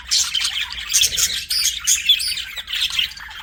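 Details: Budgies chattering with rapid scratchy chirps and brief clear whistled notes, a steady stream of high twittering that rises and falls in loudness.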